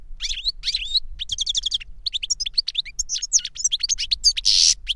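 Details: Caged European goldfinch, a trained master singer, in a song session with a young bird it taught through a recording of its own song; rapid high twittering, buzzy trills and sharp chirps in dense bursts, ending in a harsh buzzy note, with a faint low hum underneath.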